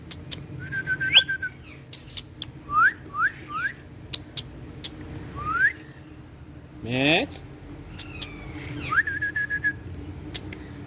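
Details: Ringneck green parrot, a talking pet said to speak Urdu and Hindi, playing on a wall: sharp rising whistles, a long level whistled note, three quick upswept notes in a row, and one hoarse drawn-out call midway.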